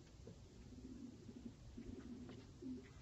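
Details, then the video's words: Filo pigeons cooing: soft, low, rolling coos in short runs, repeated through the clip over a steady background hum. "Filo Güvercinleri"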